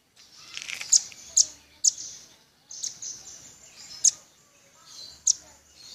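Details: High, sharp single chips from a velvet-fronted nuthatch, irregularly spaced about half a second to a second apart, over faint high twittering.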